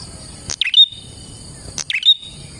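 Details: Prinia song for luring prinias: two phrases a little over a second apart, each a crisp click, a fast descending twitter and a thin whistled end, over a steady high whine.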